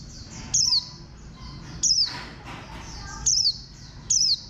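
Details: Bantam-shaped green white-eye (khuyên xanh), bird ID 04, sings brief bright notes that tumble downward in pitch, repeated four times at uneven gaps. Soft chirping carries in the background.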